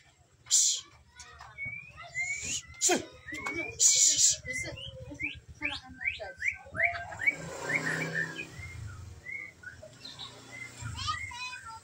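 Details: Magpie-robin singing a rapid series of rising whistled notes mixed with hissy, scratchy bursts and clicks, over a steady low background hum.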